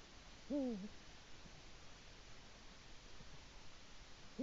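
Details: Eurasian eagle-owl male on a Latvian nest, caught by a live camera early morning on 5 March 2018 while calling to his mate; one deep, slightly falling hoot, then another begins at the very end, with quiet hiss between.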